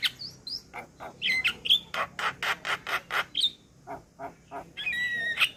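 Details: Song of an adult male Javan myna used to tutor a young bird: opening whistles, then a run of harsh rasping notes about four per second, ending in a buzzy sustained whistle.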